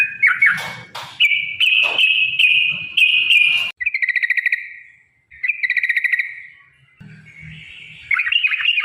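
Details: Yellow-vented bulbul giving a long 'ropel' fighting song meant to provoke other birds to sing: bursts of buzzy, chattering phrases and steady whistled runs, broken by brief silent gaps, with soft low knocking early on.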